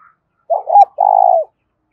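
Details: Spotted dove cooing, used as a lure for wild doves and decoy training: two mid-pitched coos, the first broken and wavering, the second long, steady and slightly buzzy before dropping away.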